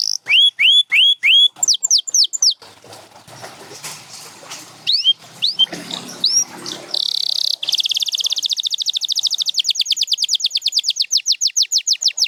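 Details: Canary song from a champion Gloster or Spanish Timbrado bird: loud rising whistles and falling notes, a quieter murmuring stretch, then a buzzy tour leading into a long rapid trill of repeated notes.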